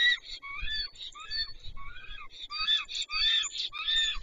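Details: Black stork, the first male to reach its nest at Wolsztyn in the Notecka Forest, late morning on 2 April 2023: hoarse, wheezy, harmonic whistled calls in quick repeated bursts, rising and falling, with faint low rumbling beneath.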